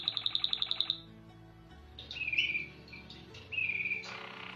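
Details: White Waterslager canary, a song breed from Belgium whose soft, sweet song is likened to flowing water: a rapid run of evenly pulsed high notes, then a pause and lower warbled trills, over a faint steady musical hum.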